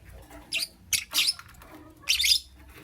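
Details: Lovebird in the morning giving a few harsh, raspy high squawks in short bursts, the last one longer and noisier.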